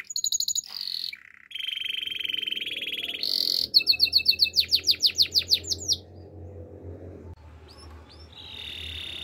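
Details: Canary song opens with high trills and a buzzy roll, moves into a long flat trill and a burst of rapid descending clicks, then quiets to a few soft slurred notes and a closing trill.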